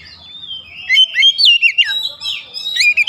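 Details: Oriental magpie-robin lure song to stir up other birds, a varied stream of sliding whistles, sharp chirps and fast downward notes in quick succession.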